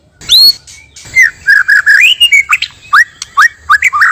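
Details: White-rumped shama pair, male and female, sung as a trapping lure: a clear upswept whistle, then a run of warbled, looping notes that rise and fall, ending in quick bright chirps.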